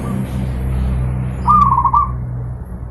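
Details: Master recording for training pet zebra doves: a single brief trilled coo phrase, wavering and soft, rising out of a steady low background hum.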